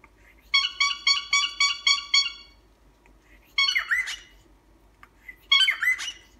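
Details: Pet cockatiel honking indoors: a quick series of about seven nasal, horn-like notes rich in overtones, then two louder, harsher honking squawks after short pauses, in a quiet room.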